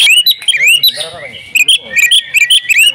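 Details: Singing female oriental magpie-robin, a kept bird pouring out mimicked phrases: rapid rising whistles and sharp high chips, with a brief lower, softer warbling interval before the loud notes resume.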